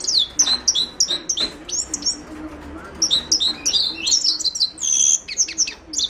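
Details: Himalayan goldfinch song (Carduelis caniceps): lively, continuous high twittering with repeated chirp pairs, slurred whistles and a brief buzzy note toward the close.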